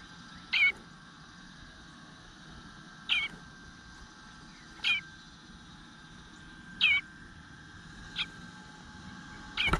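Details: Eastern bluebird nestling whining for food in its nest, June 2022, morning: brief sharp squeaky notes spaced two to three seconds apart over quiet background hum, with distant bird calls.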